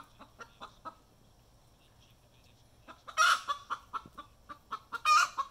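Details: Chicken hen giving her egg song right after being caught laying an egg: a run of short, evenly spaced clucks, a pause, then two loud, harsh, drawn-out squawks, each followed by more quick clucks.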